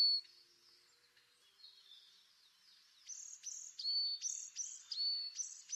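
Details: Faint, wavering notes over light background hiss lead into a tit's clearer pattern of sharp high notes alternating with level whistles, repeated several times.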